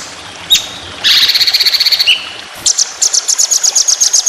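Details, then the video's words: Competition white-rumped shama delivering long, fast 'tembakan' phrases for tutoring other birds. A brief high note and a dense buzzy rattle with a short slurred whistle lead into a quick run of sharp repeated chips. "Masteran Burung Lomba Tembakan Panjang Roll Speed"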